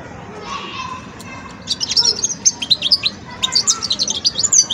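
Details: Young European goldfinch learning its song, opening quietly and then breaking into fast, dense high twittering with tinkling chirps and short trills, against a continuous low hum.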